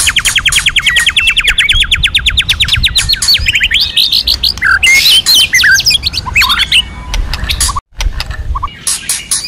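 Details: White-rumped shama forest-voice training song: a long rapid trill of repeated notes gives way to varied whistled slurs and sharp chips, with a brief gap near the end.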